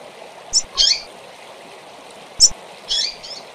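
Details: Double-collared seedeater calls used to stimulate and train kept birds: two pairs of short, high, sharp chirps, each a quick thin note followed by a fuller buzzy one, over a steady hiss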